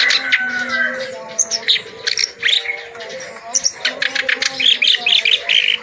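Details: Vigorous clamorous reed warbler song packed with varied material, meant for tutoring reluctant birds of its kind. Harsh chatters mix with short whistled slurs and quick rattling runs. Faint sustained low notes run below.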